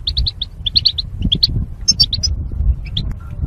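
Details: Goldfinch in a cage for singing training, paired for mating: a quick series of sharp chirps, then higher twittering notes, fading to sparse calls near the end over low rumble.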